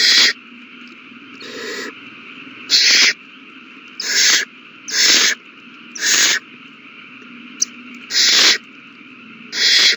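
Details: Owl babies being fed on March 27, 2020 keep up food-begging hisses: nine broadband raspy screeches, each under half a second, at irregular intervals of about one second, with one faint click and a steady hum.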